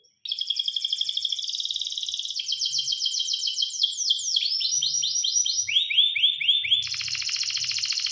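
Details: Canary singing a varied song: rapid trills, bursts of chattering notes, a series of arched whistled syllables stepping lower, and a final bright rolling trill.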